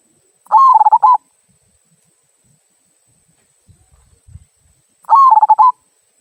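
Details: Zebra dove of a local strain singing the "kung" style used as a lure to get other birds singing: two cooing phrases, each a steady note then rapid throbbing notes, about four and a half seconds apart, with a soft low thud between.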